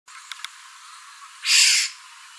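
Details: Black-hooded oriole, call type 2: a single harsh, raspy, nasal call lasting under half a second, after two faint clicks.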